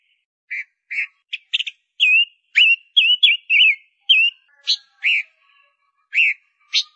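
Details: Female Gouldian finch used as a lure, uttering short buzzy notes that build into wavy whistled calls, then spaced single sharp notes toward the end.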